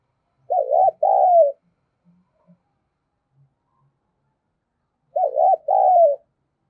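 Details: Decoy spotted dove in 'giọng thổ' style, cooing to lure other doves. Two phrases spaced about four and a half seconds apart, each a tremulous short coo then a longer descending one. Faint soft knocks occur between them.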